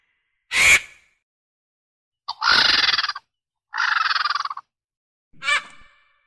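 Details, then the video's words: A vulture gives four harsh outbursts: a sharp opening squawk, two long rattling rasps, then a short hoarse squawk, with no other sounds. "Sounds of African Birds - Ibis, Marabou, Peacock, Crane, Vulture"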